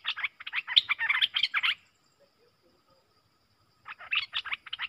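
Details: Streak-eared bulbuls, a pair dueling fiercely in song: a rapid run of bright, jumbled, chirping notes, a two-second silence, then another quick chattering phrase.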